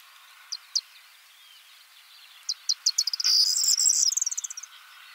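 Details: Male corn bunting singing on a twig in the Czech Republic, Central Europe: a few spaced dry ticks, then accelerating ticks running into a brief, dense, jangling high rattle, trailing off in quick clicks.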